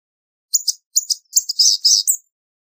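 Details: Blue-gray gnatcatcher (Polioptila caerulea), song.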